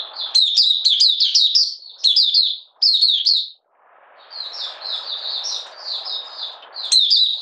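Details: Oriental white-eye from Malaysia, a kept songbird in minor moult and not in form, dated 31 July 2023: dense rapid chirpy runs, a brief silence, then a softer drawn-out twittering phrase and a final sharp burst.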